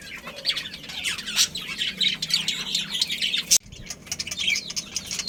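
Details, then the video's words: Budgerigars in a colony with a breeding pair twitter constantly, many birds overlapping in bright, scratchy warbles and chirps, broken by a single sharp click partway through before the chatter resumes. "Cute Budgies Chirping Sounds"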